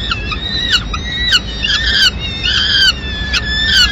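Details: Mid-morning at a peregrine falcon nest in Madrid, female arriving carrying pigeon remains; moderately loud, harsh whining calls with gently arching pitch, repeated steadily over steady low background noise.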